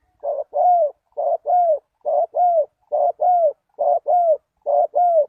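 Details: Spotted dove call used as a lure for wild doves: low paired coos, a short rough note then a longer smooth arched one, repeated steadily about once a second, six pairs against silence.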